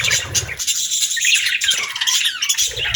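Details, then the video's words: Budgerigar chirping in a steady stream of rapid, high, scratchy twitters and warbles, with a faint low thumping at the start and end. "Budgie Chirping Sounds"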